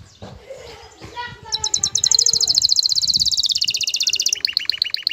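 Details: Male canary ready to breed, singing to a female: after a faint low murmur, a fast high trill of many even pulses runs for nearly three seconds, then breaks into slower, lower repeated notes.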